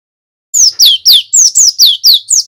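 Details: Male cinereous tit kept as a lure, singing a fast run of eight shrill descending whistles, about three per second, evenly spaced.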